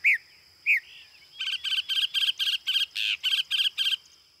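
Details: Northern Mockingbird song: two clear downslurred whistles, then a rapid series of ten harsh, chattering notes repeated evenly about four per second.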